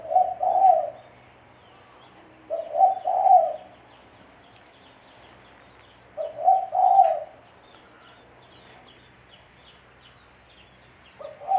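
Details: Repeated low, gentle cooing phrases from a spotted dove, four in all at irregular intervals of several seconds, each a short run of soft notes; the call serves as a lure for trapping.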